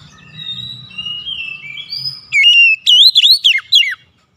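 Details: Oriental magpie-robin song aimed at stirring a silent bird to sing: soft held whistles and faint low sounds first, then a loud run of clear notes that rise and drop steeply.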